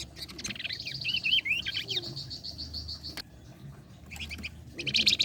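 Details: Energetic song of a flame-breasted flowerpecker, kept as a lure for contest birds. A long, high, thin buzzy trill runs over squeaky twisting notes. A pause follows, then bursts of high chatter.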